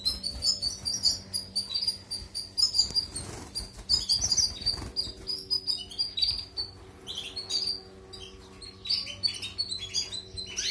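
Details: A European goldfinch sings, recorded for teaching canaries: long stretch of fast, sparkling high chirps and tinkling trills, with brief rustling or flapping sounds early on and a soft low hum beneath.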